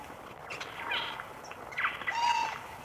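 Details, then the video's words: Eurasian jay in the morning in the Wittlich valley, 2018: two harsh, rasping bursts about a second apart, with a thin whistled note from another bird and steady low background noise. "Eichelhäher am Morgen"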